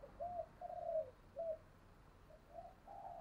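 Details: Decoy spotted dove calling to lure wild doves: faint, level coos repeated quickly and unevenly, heard over a steady background hiss.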